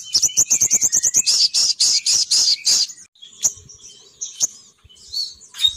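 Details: Female sogon bird lure call that attracts males to descend. A fast series of about fifteen high, evenly spaced chirping notes runs for three seconds, followed by sparse, softer twitters.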